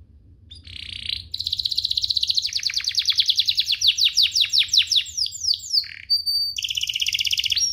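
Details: Canary singing to rouse other canaries: a short buzzy note, then a long accelerating series of crisp descending chips, a brief whistle, and a closing high rolling trill.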